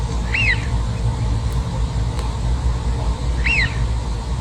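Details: Eurasian wigeon calling: two clear whistles, each rising sharply and then falling, spaced about three seconds apart, over a steady low rumble of background noise.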